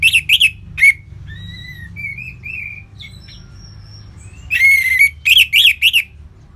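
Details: Orange-headed thrush in loose ngeplong-style song: separated clear whistled notes and short slurred phrases, with bursts of sharp chattering notes at the start and end, and quiet pauses between.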